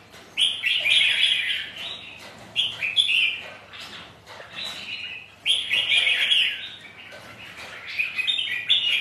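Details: Rival red-whiskered bulbuls spar in song on a windy, rainy day, giving loud, rich, warbling phrases in bursts roughly every two to three seconds, with quieter chirps between and a soft background hiss.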